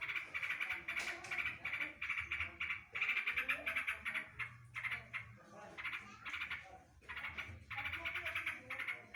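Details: Yellow-vented bulbul, known locally as trucukan, filled with imitations of green leafbird rapid-fire phrases: fast trains of harsh, rattling notes in repeated bursts with short pauses and a faint low hum beneath.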